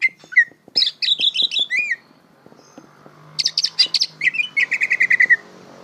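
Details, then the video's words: Greater green leafbird singing, a recording meant for young birds still learning their song: varied looping whistles and chattering phrases, a short pause, then a fast buzzy trill falling into a run of even repeated whistles. "Bongkaran suara burung cucak ijo belajar berbunyi"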